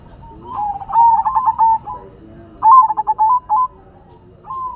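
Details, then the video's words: Silver perkutut, a zebra dove, in full song: two phrases of quick, rolling staccato coos, each ending in a held note, with a rising coo starting at the close. "Perkutut Silver Gacor Suara Asyik Unik dan Antik"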